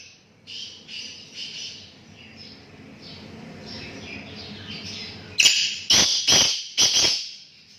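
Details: Black francolin calling, with harsh grating bursts in a close series that grow loud toward the end over a murmur of softer background chatter.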